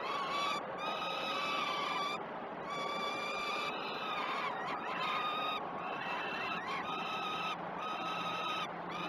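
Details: Peregrine falcon chicks calling as they are fed at a Great Spirit Bluff nest cam, 12 June 2018: steady chorus of harsh, harmonic wails in repeated bursts with short gaps, over background hiss.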